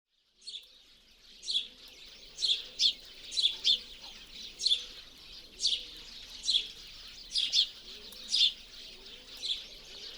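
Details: Eurasian tree sparrow wintering in central Russia, its winter call: short, bright chirps about once a second, with a faint lower murmur beneath.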